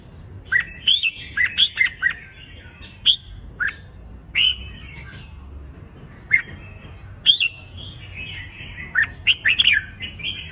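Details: Red-whiskered bulbul training song for singing contests, with strong fighting phrases and calls: repeated clipped, slurred whistles in bursts, clustered early, spaced through the middle, then a lively run of warbled notes near nine to ten seconds.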